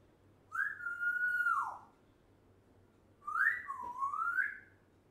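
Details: A one-year-old African grey parrot kept as a pet whistles two long, clear, tonal phrases indoors: a steady note that drops at the end, then a dipping whistle that rises again, over a faint low hum.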